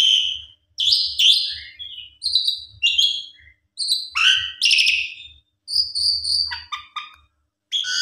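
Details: Black-collared starling song meant as a lure: separate bursts of harsh, harmonic notes and sharp whistles, with pauses between phrases and a steady high whistle near the end.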